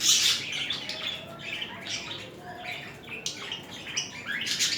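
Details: Budgerigar pair mating and showing affectionate courtship behaviour; continuous high scratchy warbling with sharp squawks at the start and end and brief clicking notes between.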